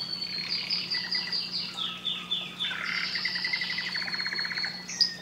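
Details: Canary singing a great deal: long varied song with sustained high whistles, descending slurred notes and rapid trilled rolls, moderately loud against a faint steady low hum.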